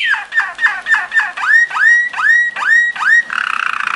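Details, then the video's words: Belgian Waterslager song canary in a training song: series of falling then rising slurred notes repeated about three times a second, ending in a soft bubbly rolling trill. "Belgian Waterslager / Belgian Malinois Waterslager training song vol. 2"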